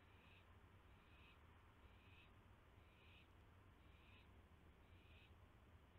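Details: Owl being given a mouse at night, May 9, 2016, 9:38 PM. Six evenly spaced, rough, airy hisses follow one another about once a second over a continuous low drone.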